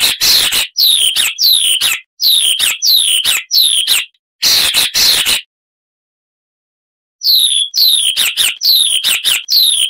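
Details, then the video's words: Icterine warbler singing loudly, repeating a sharp, downslurred high whistle joined to harsh chattering notes in quick bursts, with a pause of about two seconds midway before the phrase resumes. "Icterine Warbler (Hippolais icterina)"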